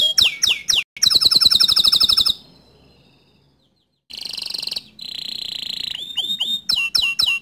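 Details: Bottle-green canary tutor song for young and untrained canaries. Quick chirps lead into a rich rattling roll, a pause, a bright sustained whistle and trill, then a run of snappy upward-flicked notes.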